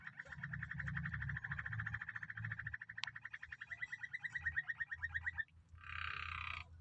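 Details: Canary described as an original imported bird singing long, rapid rolling trills of evenly repeated notes around a steady mid-high pitch, faster toward the end, then a short harsh buzzy burst; low hum underneath.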